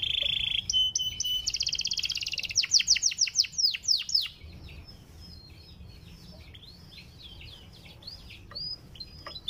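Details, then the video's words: Panda canary, a kept songbird, singing a sweet song used to coax canaries into singing: a buzzy high trill and a rapid run of steep downward sweeps, fading to quieter scattered chirps and whistles. "KENARI PANDA LAGU SYAHDU UNTUK PANCING KENARI"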